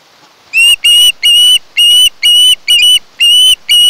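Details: Osprey at its nest on Kent Island, Maryland, nest camera, 1 August 2018; very loud, drawn-out piercing whistles, each about a third of a second, repeated eight times in a regular beat.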